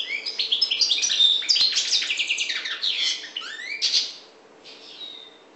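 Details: Goldfinch of the North African parva form pouring out a quick, tumbling medley of tinkling chirps and rolling trills, ending in a thin drawn-out whistle and softer notes.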